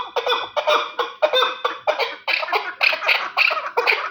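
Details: Terali chukar partridge delivers a run of rough, clucking chuck notes in close succession, building slightly brighter and louder toward the end, with no other sounds.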